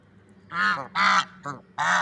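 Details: Swans in nature, called a loving couple, giving four bright nasal honks spaced irregularly, the second one longest and strongest.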